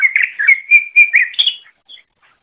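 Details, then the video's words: Brief greater green leafbird phrase for training cage birds: a fluid two-second ribbon of warbled and sustained whistled notes, ending in a high upward flourish and a faint final chip. "Masteran Suara Cucak Ijo"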